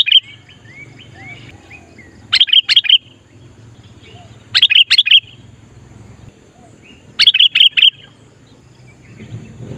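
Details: Sooty-headed bulbul luring wild bulbuls: three bursts of rapid liquid whistled notes every two to three seconds, with softer wavy calls and a faint low hum beneath.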